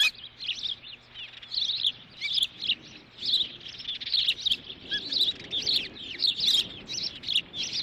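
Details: Ospreys at a Dunrovin nest on a June 2013 morning, one asserting dominance as the mother arrives with a stick; piercing high chirped notes repeated in rapid runs, roughly one burst every half second.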